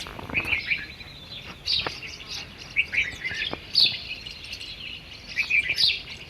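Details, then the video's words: Several small garden birds chirp and twitter in high, quick bursts in the morning, their voices overlapping irregularly in a quiet outdoor setting. "Sweet Bird Sound - Morning Sound Effect Garden Bird"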